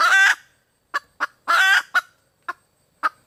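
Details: Female red junglefowl calling for a mate. Two long, harsh squawks each lead into a few sharp, separate clucks, spread unevenly over about three seconds.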